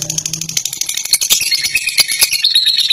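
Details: Long ngekek song from a fighter lovebird, delivered as dense, shrill chattering with fast clicking pulses and squeaky notes that rise toward the end.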